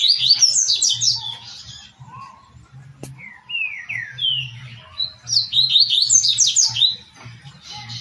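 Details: Double-collared seedeater song, Tui Tui style, used to teach captive birds: a high chirping burst, a few separate downslurred whistles, then a second fast, bright run of sharp notes, with a faint low pulsing hum.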